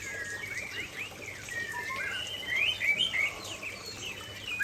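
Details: Aceh white-rumped shama in lively song beside a waterfall: sliding whistles and quick chirped notes in short phrases, louder in the middle, over a constant rushing background.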